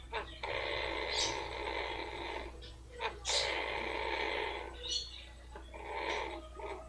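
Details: Female blue-fronted amazon kept as a pet, purring while being rubbed because it feels good: three sustained raspy purrs lasting one to two seconds, each punctuated by quick nasal snorts, against a low steady hum.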